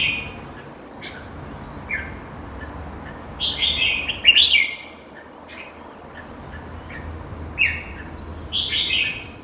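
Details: Red-whiskered bulbul, locally called merbah jambul, giving short bright whistled phrases every one to two seconds, some rising and slurred, over a steady low background hum.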